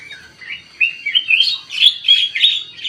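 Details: Sooty-headed bulbul song for luring birds: a short phrase of slurred notes climbing in pitch, then loud, rapid, squeaky chirps tumbling over one another.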